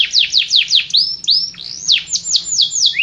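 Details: Canary song: a run of quick, bright downward-sweeping notes repeated about five times a second, then longer rising slurred whistles and a return to fast descending strokes.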